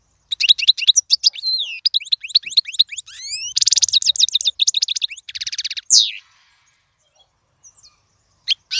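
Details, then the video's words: European goldfinch song meant for young birds to learn: rapid twittering and sweeping chirps mixed with buzzy, rasping trills. The song ends abruptly after about six seconds, followed by near silence and a few faint notes. "أفضل تغريد الحسون"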